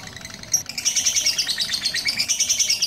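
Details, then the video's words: Lovebird kept for long-duration singing, after care by a bird handler from Pucakwangi, Pati, that is said to stretch one song to five minutes. It gives fast, continuous high chattering trills of rapid buzzy chirps, steady throughout, over low background hum. "Suhu Dukun Burung Lovebird Satu Kali Tiupan Molor 5 Menit"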